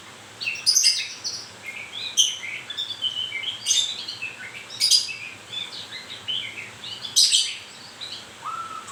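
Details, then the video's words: Song of a white-rumped shama during moult: rapid high chattering and piercing burst notes with scattered mid whistles, ending in a lower clear whistled note. "murai baru rontok bulu"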